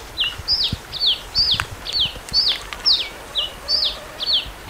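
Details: Red-capped cardinal song of about eleven sharp whistled notes, each sliding steeply downward, delivered at a steady, brisk pace over a faint hiss.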